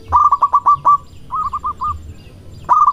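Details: Loud local male zebra dove courting: a rapid burst of sharp, mid-pitched coo notes, then a quieter run of four slightly higher notes, a pause, and the start of another loud phrase.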